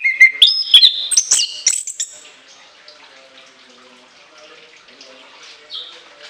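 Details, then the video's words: Orange-headed thrush delivering shrill, high-pitched song bursts with long mimicked fill: a rapid run of loud whistled and slurred notes in the first two seconds, then only faint, scattered chirps in a quiet background. "TEMBAKAN LENGKINGAN ANIS KEMBANG ISIAN PANJANG SEGUDANG"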